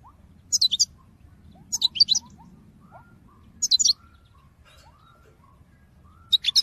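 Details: A European goldfinch recorded in 2022 gives a calling song used to motivate birds to sing: short clusters of sharp, high twittering notes repeated every one to two seconds, with soft lower whistles between them.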